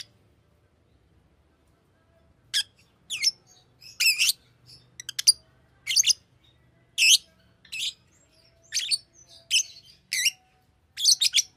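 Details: Fischer's lovebird, a pet bird, calling: sharp high chirps and shrill screechy notes in irregular bursts about once a second after a quiet start, with faint low hum behind.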